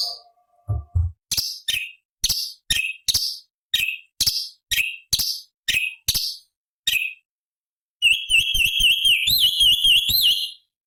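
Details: Cucak cungkok bulbul heard as songbird training material with high-octave variations from the forest: a string of sharp, separate downslurred chips about twice a second, a brief silence, then a warbled, wavering high phrase.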